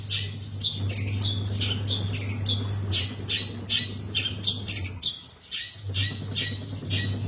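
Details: Long-tailed shrike in full active song, a dense run of harsh, scratchy notes delivered in quick succession with a brief pause near the end, over a constant low mains hum.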